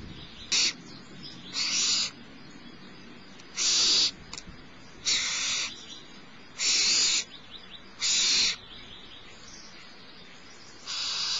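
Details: Youngest barn owl owlet begging as its mother feeds it around 10:30 in the morning, March 2011, Starr Ranch nest: a series of seven raspy hissing screeches, each under a second, spaced irregularly every one to two seconds.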